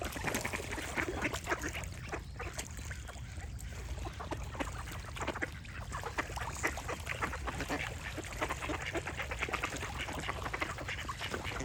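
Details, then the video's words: A dense, busy mass of duck quacks, short rough calls crowding one another for nearly twelve seconds, with bird song mixed in. "Cute Duck Quack Sound Effect with Birds Singing"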